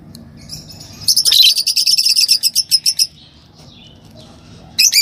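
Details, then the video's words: Green Fischer's lovebird pair chattering: a fast series of high, metallic chirps repeated several times a second for about two seconds, then quiet, with a brief harsh burst at the end. "Lovebird Talking & Chirping Sound – Green Fisher Pair"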